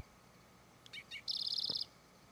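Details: Spotted Towhee recorded on the Auto Tour of Charles M. Russell National Wildlife Refuge, Montana, USA: two short introductory chips followed by a bright, rapid buzzy trill, clean against a quiet background.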